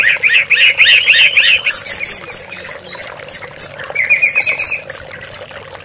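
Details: Oriental magpie-robin song, played as a lure to make captive birds sing. A fast run of repeated whistled notes, then very high piercing notes and a flat trilled phrase, steady water noise underneath.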